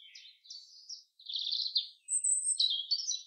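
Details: Common chaffinch in the forest giving lively song: twittering notes lead into a dense trilled section, then a thin high whistle and a final rolling flourish.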